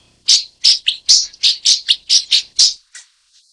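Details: Broad-tailed paradise whydah (Vidua obtusa) calling with a run of about ten harsh, high squawky notes, repeated roughly every third of a second in an uneven rhythm, loud and close.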